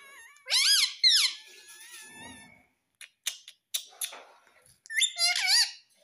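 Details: Pet talking parrot, said to say "Mummy Papa", giving loud, bending harmonic squawks in two quick bursts near the start, then soft clicks and ticks, and a final wavering, rising-and-falling whistled call indoors.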